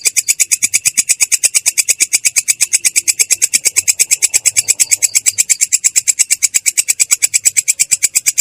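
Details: Clear, harsh rolling song from a long-tailed shrike, a long, even train of rapid, high, buzzy chips at roughly seven per second without pause.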